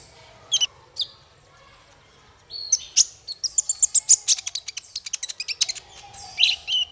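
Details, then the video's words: A male olive-backed sunbird, played to teach songbirds, gives a few isolated high chirps and then a dense, fast burst of piercing twitters lasting about four seconds, ending on a louder, buzzy flourish. "Suara konin untuk masteran burung"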